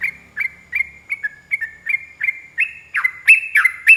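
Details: Long rolling 'ropel panjang' song of a yellow-vented bulbul, meant as a master recording to get bulbuls singing back. Evenly spaced bright chirps that grow louder and harsher toward the end, with a few high sharp accents.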